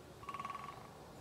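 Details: A great spotted woodpecker hammers dead wood in a brief resonant drum roll used for communication and audible from far away, roughly a dozen fast even knocks within half a second, against a quiet hiss.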